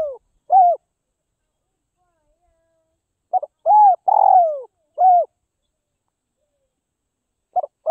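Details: Caged spotted dove of the Northwest Vietnam type, being tamed to lose its fear of people. It gives soft low coos in short bursts, one falling note after another, with long silent gaps between groups of two to four notes.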